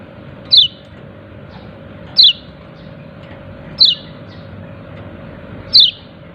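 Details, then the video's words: Yellow-breasted white-eye giving "ciak ciak" calls, four clear high downward-sliding chirps spaced about 1.7 seconds apart, with faint softer notes between and a low hum beneath. "Pleci dada kuning memanggil ciak ciak"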